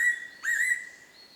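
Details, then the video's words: Fairy pitta song recorded in May 2019 at Oike springs, Yufu, Oita, Japan: the tail of one whistle followed by a single clear whistled note that rises quickly and then holds steady. "ヤイロチョウ のさえずり in 男池湧水群(由布市)"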